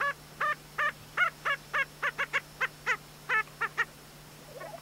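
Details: Male lesser prairie-chickens displaying on a spring lek in New Mexico around sunrise give about thirteen short, nasal, clucking yelps, two or three per second, with a steady low hum underneath.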